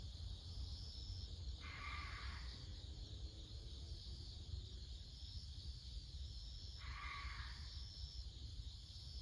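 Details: Ural owl calling before dawn in autumn at Showa no Mori forest park, Chiba, Japan: two harsh, rasping screeches about five seconds apart, each under a second long, over a steady high insect hiss and low rumble.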